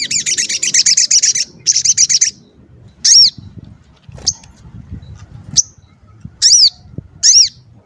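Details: Calling sogon used to provoke other birds of its kind: two long, fast, high buzzy trills, then single sharp arched whistles spaced about a second apart.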